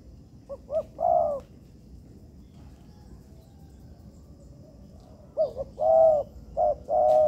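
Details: Spotted dove (tekukur) calling in an artificial yard, recorded as training material. Two low cooing phrases of short clipped notes ending in a drawn-out coo are separated by about four seconds of quiet.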